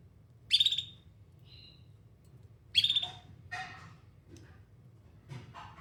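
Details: Canary singing two loud buzzy trills a little over two seconds apart, followed by softer, lower chirps and rustling sounds, over a constant low hum.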